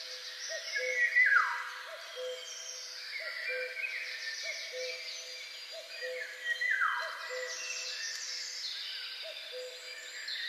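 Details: A Common Cuckoo in spring in Poland gives its low two-note 'cu-coo', falling from the first note to the second, repeated steadily about once a second over a busy chorus of trilling songbirds.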